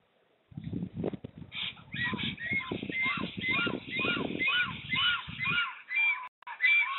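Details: Black storks at a nest in the Łódź region, Poland, on 15 April 2020, a new female attacking the male until he gives up. A loud series of harsh, nasal honking calls with rich overtones, about two per second, over rustling and thudding.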